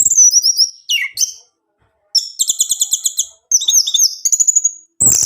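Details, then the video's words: Kept orange-headed thrush song, played to get a silent male to sing: clear whistled phrases that slide up and down, and a rapid run of repeated chattering notes. Short silent gaps separate the bursts. "putar Anis merah ini, Anis jantanmu pasti bunyi"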